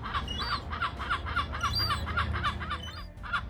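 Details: Gull among ducks on water in Norway, 9 September, giving an unusual call: a fast run of short, harsh, nasal notes, about three or four a second, with faint high chirping and steady low rumble behind.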